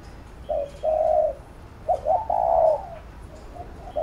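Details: A spotted dove gives urging coos used to train another bird: a short note, a long steady coo, then a stuttered double note leading into a longer wavering coo, with faint distant chirping in the background.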